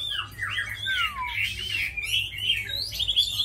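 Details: Chinese hwamei, tame and known as a good fighter and singer, giving sweeping slurred whistles, including a long descending glide, followed by wavering melodious phrases.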